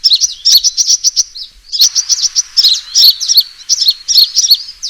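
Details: Lure recording of a sunbird fighting call: rapid high chirps in a run, a slurred note, then more choppy, sharp twittering phrases.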